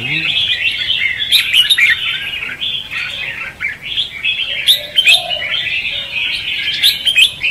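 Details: Red-whiskered bulbul fighting song, "ché" and "xòe" styles, used as a trapping lure. Overlapping fast warbles with bright, emphatic notes recurring every few seconds and short quieter gaps between bursts.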